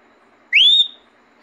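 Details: Talking parrot giving a single clear whistle that rises quickly and then holds steady, about a third of a second long, between a person's spoken words.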